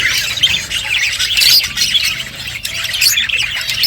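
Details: Many colourful budgerigars chirping as they eat: a constant, loud high-pitched chatter of overlapping squeaks and trills with no pauses.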